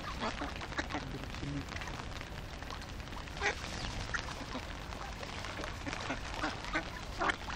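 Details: Some fifty hungry ducks calling together: a dense, continuous chorus of overlapping harsh quacks, with a few louder nasal calls standing out near the end, over a steady low rumbling background.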